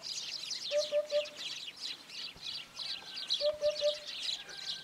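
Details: A Eurasian hoopoe (Upupa epops) gives its courtship song, two soft, low triple hoots 'oop-oop-oop' about three seconds apart, under a busy chorus of high chirping small birds.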